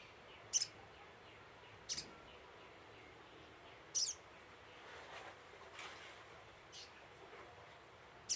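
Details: Little spiderhunter lure call: sharp, very high, brief chips, single or doubled, spaced irregularly every one to two seconds over a steady low hiss.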